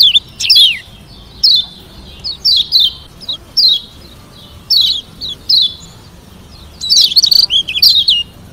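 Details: Lombok kecial kuning white-eye singing a varied song to make rivals respond: evenly spaced, high, falling whistles about every half-second, closing with a fast, twisting flourish.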